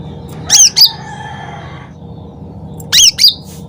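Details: Sooty-headed bulbul singing loudly as a lure, giving two quick shrill doublets of bent, ringing notes about two and a half seconds apart, with a faint fading tone between and low background hum.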